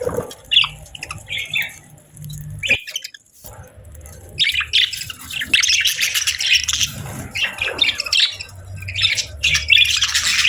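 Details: Several budgerigars chirping on a peaceful morning, starting with sparse high chirps and a brief silence, then building into dense, buzzy chattering warbles toward the end.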